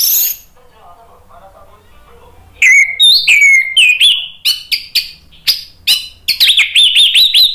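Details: Orange-headed thrush in full gacor ngeplong song, played as a lure so other birds join in: clear slurred whistles falling and rising, then a fast run of crisp chips and warbled phrases.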